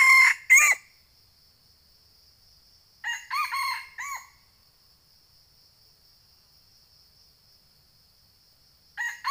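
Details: Red junglefowl crowing in a eucalyptus plantation in Sumatra, Indonesia, during trapping with a lure. Short, harsh, broken crows come in three bursts a few seconds apart, over a steady high insect drone.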